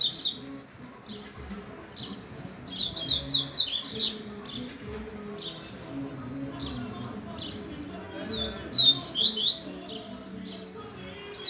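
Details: A Double-collared seedeater, reported to sing while hanging upside down, gives three bursts of quick, high, twittering and buzzy notes with short pauses between them, over a low hum.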